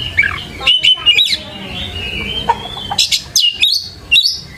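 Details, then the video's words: Lure song of an Oriental magpie-robin for teaching young birds: varied whistled phrases, sharp clicks and rising sweeps, broken by short pauses and ending in a quick burst of bright upslurred notes. "PANCINGAN KACER GACOR COCOK UNTUK PANCINGAN KACER MUDA UNTUK BELAJAR BUNYI DAN CEPAT IKUT GACOR"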